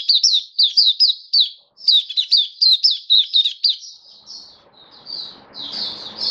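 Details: Kept Oriental white-eye, 27 October 2022: a steady series of sharp, high, down-slurred chirps, then softer warbled notes as low hissing noise rises behind the song.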